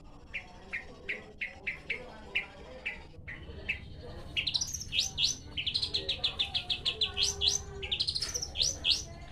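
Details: Long-tailed shrike song: widely spaced short chirps at first, then a quicker series of high, upward-flicked whistled notes in tight clusters; faint low hum underneath.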